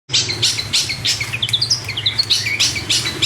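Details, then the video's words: Long-tailed shrike of the Priangan (West Java) type singing energetically, a rapid varied stream of high chirps, slurred whistles and buzzy bursts, with a steady low hum beneath. "Burung cendet Priangan/jabar gacor"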